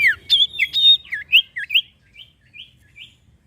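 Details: Iora song used as a lure to get other birds singing: a burst of sharp slurred whistles and chips, then a string of short rising-falling notes repeated about twice a second, fading softer toward the end.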